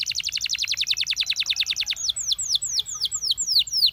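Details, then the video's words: Belgian canary singing a rapid, even buzzy trill of about twenty quick notes, followed by slower falling whistled notes. "Belgian Canary Singing"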